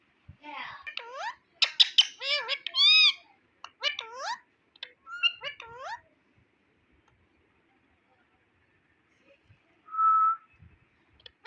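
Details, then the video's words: Indian ringneck parrot talking as a pet: a burst of speech-like syllables with rising inflections and clicks for six seconds, then quiet, then a single steady whistled note. "Ringneck Parrot Berbicara dan Mengatakan Bahasa Bahasa Luar"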